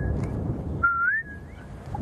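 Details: A boubou, a type of shrike, calls on a cold, windy early morning after rain: a single clear, liquid whistle that wavers and rises slightly, lasting under a second, over a steady low rumble of wind and a vehicle.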